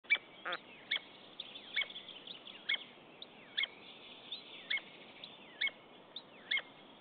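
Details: Common buzzard pair at a nest in Estonia on 10 April 2015. The mate visits without prey and both birds call softly. Short, sharp, downward-sliding notes repeat about once a second.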